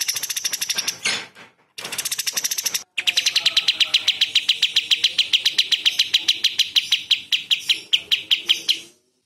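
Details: Cililin song used to tutor competition birds, in harsh, sharp 'tembakan' phrasing: short high trills broken by two brief gaps, then a sustained train of fast, evenly spaced chips that gradually slows and fades.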